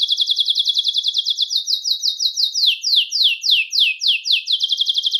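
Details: Belgian canary song meant to excite males and bring hens into breeding condition, a quick high trill that slows into loud down-sweeping notes about four per second, then speeds back into a rapid trill.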